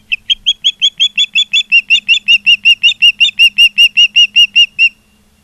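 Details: At an osprey nest in Charlo, Montana, on a live cam, September 16, 2023, afternoon: some two dozen high, clipped whistles pour out in a regular rhythm for about five seconds, then stop.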